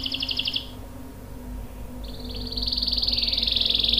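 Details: Canary singing with long rolls meant to coax other canaries into song: a short fast trill, a quiet pause, then a building rapid roll that grows louder toward the end over faint background hum.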